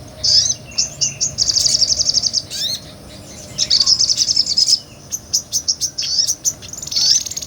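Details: A small nectar-eating sunbird sings energetic ngobra song, recorded for training other songbirds: long, shrill, rapid trills broken by thin descending sweeps and clipped chip notes, the bursts alternating with brief pauses.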